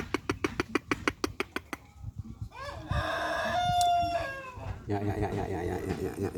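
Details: Chicken out in the morning sun to regain its usual quality; about ten rapid, sharp taps open, then a strong crow of roughly two seconds, followed by low rumbling background noise.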